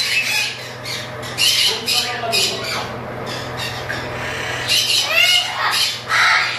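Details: Chattering lory breeding pair giving harsh, rasping squawks in irregular bursts, some with sweeping rising and falling notes, over a steady low electrical hum.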